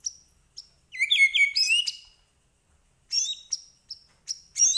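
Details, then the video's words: Medan white-rumped shama singing with mimicked phrases: a short burst of layered warbling whistles, then a pause and high thin notes and chips. "Murai Batu Medan Gacor Full Isian"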